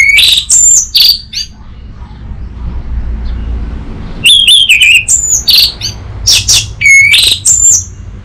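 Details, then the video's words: Orange-headed thrush master song meant to get an untrained young bird singing: lively rapid sequences of high whistles, sweeping slurs and sharp chips, broken by a short quiet gap. "Pancingan dan Masteran Burung ANIS MERAH Bahan"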